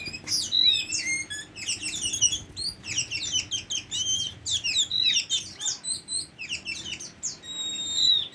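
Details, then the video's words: Song of a tame Oriental magpie-robin: dense bursts of high chirps, down-slurred whistles and trills, briefly pausing, then clear sustained whistled notes near the end. "Burung Kacer Jinak"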